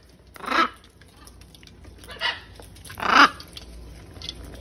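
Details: At feeding time, wild macaws in a huge flock give three separate raspy squawks, the last loudest, over quiet background noise.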